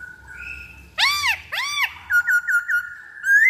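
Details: Black-throated laughingthrush lure song, two loud arched whistles, then a string of short rapid whistled notes ending in a long rising whistle.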